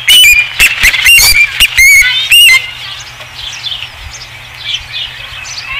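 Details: Osprey at the nest on a ranch, recorded 5 August 2016; loud piercing whistled chirps in a rapid burst for two seconds, then fading to faint distant chirping.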